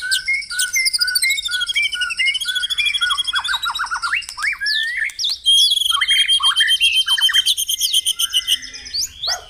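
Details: White-rumped shama full song used to lure caged birds to sing during morning dew-airing: fast varied mix of high whistles, harsh squawky notes and rapid descending chips, loud and nearly continuous.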